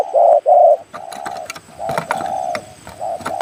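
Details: Spotted dove giving clear, mellow coos on a hillside near a rubber plantation, a wild target bird answering a caged decoy, with sharp clicks and knocks nearby: two loud notes, then longer held notes at a steady pitch; voice described as clear.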